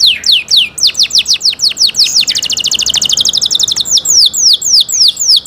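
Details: Canary song of high descending whistled sweeps that break into a rapid, even trill of short notes before returning to slower downward-slurred whistles.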